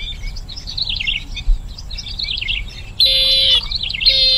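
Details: Bronze-winged jacana calls: wavering, warbled chirps at first, then a sudden loud, harsh, buzzy note and a second one starting shortly after, over a quiet background hum.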